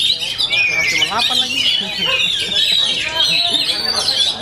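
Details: Full-power song of an Oriental magpie-robin, a continuous torrent of bright, high-pitched warbles and twittering phrases over a low jumble of sliding, wavering tones.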